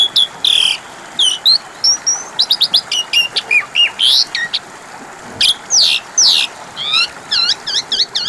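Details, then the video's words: Asian pied starling song serving as a lure for birds that have stopped singing: dense, varied phrases of harsh rasping bursts, quick stacked chirps and sweeping whistles, ending in a rapid run of repeated bouncing notes. "Pancingan suara burung jalak suren macet bunyi 🐦 5 Menit Langsung nyautt!!"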